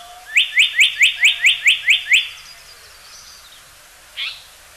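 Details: Japanese paradise flycatcher (Terpsiphone atrocaudata) from a call library: eight bright, rising whistled notes delivered in a steady rapid series, a faint trailing sound, then one more short husky note after a pause; the background is otherwise quiet.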